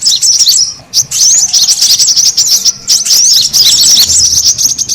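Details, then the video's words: Brown-throated sunbird lure call, a noisy recording meant to attract birds: dense, overlapping high-pitched chirps and twitters run almost without pause, with a brief lull near the one-second mark. "SUARA PIKAT KORLAP RIBUT AMPUH BURUNG SEKEBON AUTO NGUMPUL"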